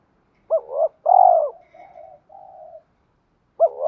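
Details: Spotted dove cooing to stir newly caught wild doves into calling and train decoy birds: a short double-hooked note, then a loud arching coo, followed by two soft trailing coos and the next phrase starting.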